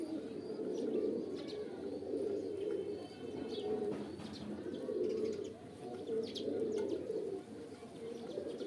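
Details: Pigeons (kabutar) cooing steadily in low, rolling phrases that swell and fade every second or so, several birds overlapping, with scattered sharp clicks and taps above.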